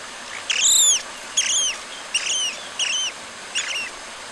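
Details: Long-tailed broadbill voice: five arched, slurred whistles, each rising then falling, repeated at under one-second intervals. The notes grow slightly shorter and softer through the series, over faint steady hiss.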